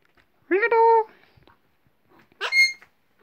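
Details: Pet Alexandrine parakeet indoors mimicking speech with a rich, harmonic spoken syllable, then a shorter higher-pitched utterance.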